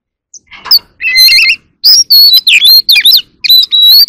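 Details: Oriental magpie-robin singing in a contest and dancing: a dense, continuous stream of loud whistled and warbled notes, some buzzy, ending in a long clear upslurred whistle.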